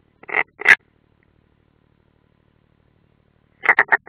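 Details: At a nest in Ādaži training area, Latvia, June 2016, a European roller gives two harsh rasping notes, a silence of about three seconds, then three more quick gravelly notes, from a nest camera.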